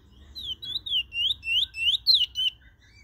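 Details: Trinidad bullfinch singing a short run of sweet, rounded whistled notes, each a smooth rising and falling slur repeated about three times a second, then fading out.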